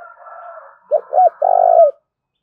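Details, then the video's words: Spotted dove giving its thúc and gáy gọi coo in the field-native voice: two short rounded hoots, then a longer sustained coo that bends down at the end, after a soft, fading earlier note. "Tiếng cu gù Thúc và Gáy Gọi Nghe Cực hay"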